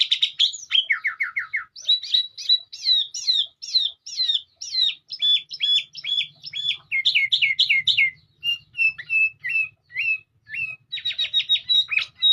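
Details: Melodious sooty-headed bulbul song of fast, varied phrases: quick descending slurs, clipped repeated notes, a few lone short whistles near the end, and a brisk closing flurry, over a faint low hum.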